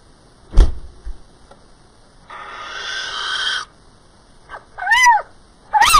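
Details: Little owl recorded on 28 April 2010: a thump, then over a second of harsh hissing noise, followed by a loud, clear, arched mewing call and the start of another, over a quiet background.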